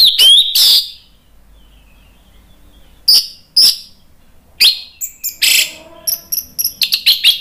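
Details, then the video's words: Orange-headed thrush from Indonesia singing loudly: scattered high whistled phrases separated by pauses, building into a quick series of short, bright repeated notes toward the end. "ANIS MERAH NGEPLONG GACOR"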